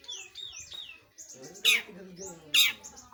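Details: Long-tailed shrike giving curved, whistled slurs that rise and fall, followed by soft twittering and two loud, harsh rasping bursts about a second apart.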